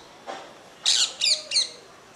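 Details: A pair of rose-ringed parakeets playing together on a terrace. A soft lower note comes first, then three loud, shrill, scratchy chirps in quick succession, with little else heard.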